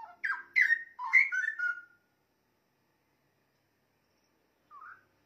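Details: Straw-headed bulbul song used as a master recording for training songbirds: a burst of loud, rich whistled notes sweeping down and rolling, lasting about two seconds, then silence and a faint short note near the end.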